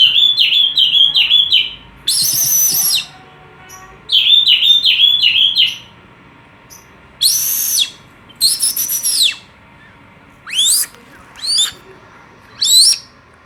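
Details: Oriental magpie-robin call meant to get birds singing: quick runs of four or five whistled down-slurred notes alternating with harsh, broad rasping bursts, then several separate sharp rising notes, in a quiet setting.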